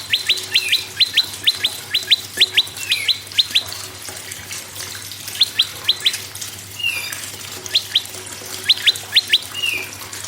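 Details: Prinia, given as prenjak lumut and red-headed prenjak, used as a lure to get other birds singing: rapid pairs and triplets of sharp upward-sweeping chirps, about two per second, with short pauses and a few lower slurred notes.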